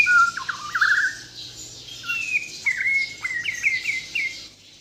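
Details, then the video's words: White-rumped shama from Borneo, Kalimantan, singing clear whistled phrases with quick downward flicks, followed by a long steady high whistle broken by short rising notes. "MURAI BATU BORNEO GACOR FULL ISIAN || AMAZING BIRD CHIRPING MURAI BATU"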